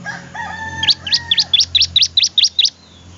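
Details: Bar-winged prinia singing vigorously: nine evenly spaced, sharp, high, slurred notes delivered quickly in one phrase. Softer, lower drawn-out tones are heard just before the burst.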